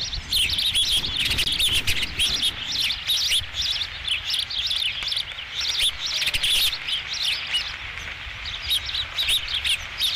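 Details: Nest of ospreys, 5 July 2016, as the first fish arrives: near-continuous shrill, piping chirps packed closely together, with loudness swelling and easing in waves over a faint low hum.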